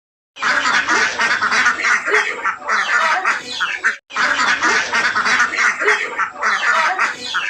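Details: Ducks coming home, a flock quacking loudly and continuously in overlapping harsh calls, with a brief break midway.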